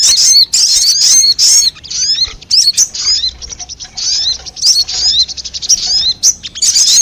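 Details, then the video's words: Sogon call meant to lure wild sogon: bursts of high, scratchy twitter and rapid chirps, with quieter gaps of thin squeaky notes between them. "Suara pikat burung sogon 💯% bikin sogon liar berdatangan"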